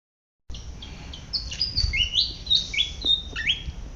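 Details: Malaysian pied fantail foraging in a garden, giving a lively series of high, thin whistled notes, each stepping or sliding upward, in an irregular jaunty sequence.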